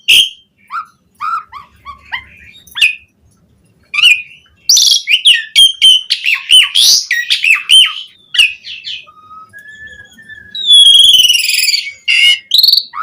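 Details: Asian pied starling in full song used to prompt other starlings to sing: scattered clicks and short whistles, then a loud run of harsh chattering phrases, pure low whistles and a buzzy trilled burst.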